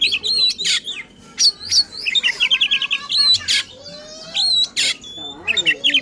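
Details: Agitated oriental magpie-robin (kacer) in full song meant to provoke rivals: sharp whistled slurs, rapid trilled runs and harsh noisy bursts, delivered in quick bouts with brief gaps.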